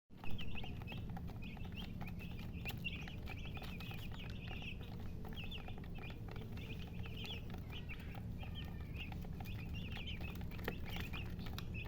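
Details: Chicken chicks peeping in short high bursts, each a few quick chirps grouped together and repeated over and over, steady through the recording above a constant low rumble.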